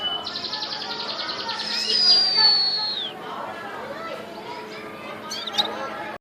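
A fast, high chattering trill of rapidly repeated notes runs for over a second, then a thin whistle slides downward, over a steady background hiss.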